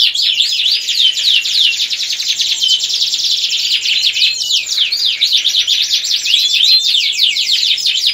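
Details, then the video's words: Energetic ngerek-style domestic canary song meant to raise breeding desire in hens and young cocks: fast, continuous high rolling trills packed with quick downward-sweeping notes, layered throughout, with no other sounds. "Kicauan Kenari Gacor Ngerek Untuk Menaikkan Birahi Kenari Betina Siapan & Pejantan Muda!"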